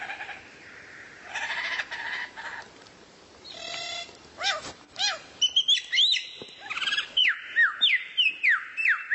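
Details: Rare-bird training recording for a kacer (White-rumped shama): harsh, buzzy chatter first, then clear whistles and a fast series of loud falling whistled notes, about two per second.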